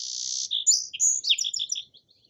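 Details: Song sparrow song: a long buzzy opening note, then a tumbling run of varied short whistled and buzzy notes that fades out.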